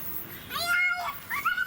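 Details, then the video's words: Black swan at Mysore Zoo, India: a single drawn-out, rising, nasal, trumpet-like note, followed by a shorter, upward-bending second note. "Strange Sounds Of Swans | Call Of Swans"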